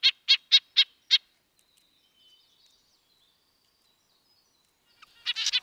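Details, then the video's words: Red-breasted nuthatch: five crisp, high, nasal tin-trumpet notes spaced evenly about a quarter second apart, a long silence, then a quick cluster of similar notes close together. "Red-breasted nuthatch sounds, Sounds of the Canadian Nuthatch"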